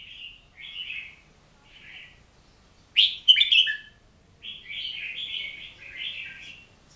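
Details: Oriental magpie-robin singing a series of warbled, slurred whistled phrases. Softer notes rise to a loud, sharp burst in the middle, followed by a run of rich, rolling notes.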